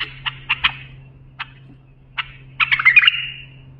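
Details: Bulbul singing for young birds to learn: a few short clipped notes at uneven intervals lead into a fuller warbling phrase that ends in a drawn-out whistle, with a faint steady hum beneath.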